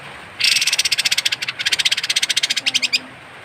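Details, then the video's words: Kapas tembak bird giving a strange harsh call, used as tutoring material for songbirds: a loud, buzzy, rapid rattle of dry pulses lasting about two and a half seconds, with a brief pause midway, over faint background hiss. "suara aneh burung kapas tembak"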